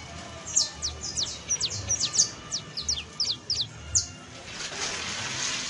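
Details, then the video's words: Saffron finch, or canario basto, in professional song: an accelerating series of bright falling chirps over about four seconds, ending abruptly, followed by a soft hiss. "CANTO PROFESIONAL DE CANARIO BASTO [ASÍ CANTA UN CANARIO BASTO PROFESIONAL"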